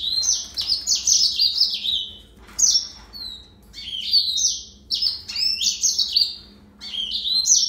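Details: Yellow-fronted canary song in repeated bright bursts, each a rapid string of chirps and trills, broken by short gaps and one brief sliding whistle.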